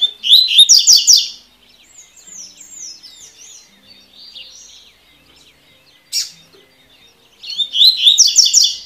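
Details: Double-collared seedeater giving the tui tui song, used for training birds: two bursts of quick, ringing, repeated high notes, one opening and one closing, separated by softer slurred whistles and a single sharp chip.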